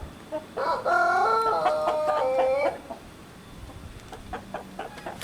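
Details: A young Pelung rooster, out sunbathing in Sukabumi regency, gives one long wavering crow of about two seconds that bends downward at its close, followed by quieter clucking and background noise.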